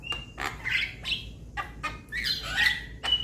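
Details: A juvenile Javan myna calls to its companions: sharp clicks and a thin whistle, then dense scratchy squawking bursts, ending on a clear whistled note.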